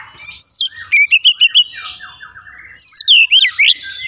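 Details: Oriental magpie-robin giving a slurred whistle, a run of five quick bright notes, soft chatter, then more swooping loud whistles.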